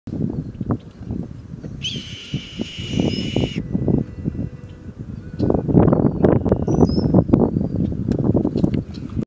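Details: Red-tailed Hawk, unhappy while being dive-bombed by a Red-winged Blackbird, gives a single hoarse, drawn-out scream lasting about a second and a half, with brief high chirps from another bird and heavy wind rumble throughout.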